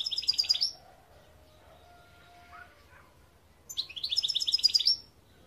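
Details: European goldfinch in song, 2021: two quick bursts of high, sparkling, rapidly repeated twittered notes separated by a few seconds of near silence with faint soft tones.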